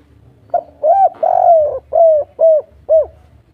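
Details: Spotted dove of the local kuk 3 style, excited and calling a female. Mellow hollow coos: a quick opener, a rising-falling coo, a drawn-out note sliding lower, then three short coos roughly half a second apart.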